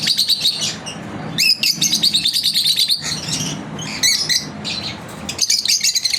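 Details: Lovebirds kept as pets chirp during their daily routine, bursts of fast, shrill chattering notes broken by short gaps, each burst starting with a sharp rising chip.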